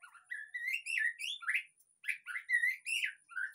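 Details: White-rumped shama singing as a lure for a caged bird that has stopped singing: continuous rich, fluty whistles rising and falling in quick slurred phrases, with a short pause midway.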